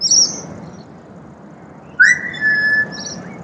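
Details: Pied butcherbird singing in Australia: a short high twittering note, a pause, then a loud upslurred whistle that settles into a long level fluted tone, with faint high chirps from other birds.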